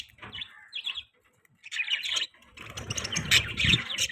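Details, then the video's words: Budgerigars eating and chirping. Short bright chirps are followed by a pause, then busy twittering chatter over steady rustling and scratching noise. "Budgie chirping sound"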